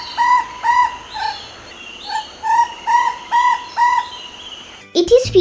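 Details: Chestnut-backed owlet, endemic to Sri Lanka, at Wattegama near Kandy, gives a quick series of about ten mid-pitched, slurred notes, each rising then falling, in short bursts; a voice cuts in at the end.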